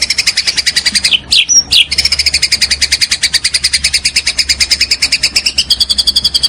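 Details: Recording for training a caged white-rumped shama: a high, rapid pulsed trill running steadily, interrupted once by a short bright whistle, then continuing and dropping slightly in pitch near the end.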